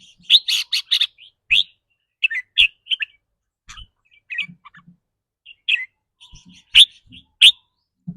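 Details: Red-whiskered bulbul giving its rapid trilling rik rua song, a style that depends on the bird's daily mood: an opening burst of loud, sharp chirps, then scattered quick notes and brief twitters, irregularly spaced, with soft low clicks.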